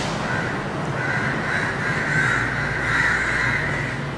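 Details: Many house crows (Corvus splendens protegatus) gathered at a dusk roost in Colombo, Sri Lanka, in February, calling together as an unbroken overlapping mass of harsh caws, with the low rumble of heavy traffic beneath.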